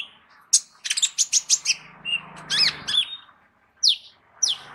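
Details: Captive Van Hasselt's sunbird used to teach other songbirds, with a full repertoire: a burst of high stuttering chirps and twisting whistled notes, followed by two sharp descending tweets.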